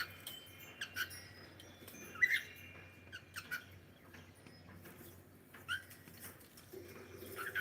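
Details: Pet cockatiel giving a scatter of short, sharp chirps and squawky notes at uneven intervals, one louder call early on, over a low steady hum.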